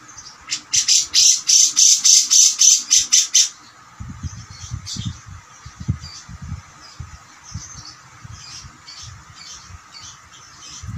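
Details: Cucak jenggot singing in an energetic, gacor style, used as master song for training other songbirds: a rapid run of about fourteen sharp, high, evenly repeated notes over three seconds, followed by soft rustling and thumps.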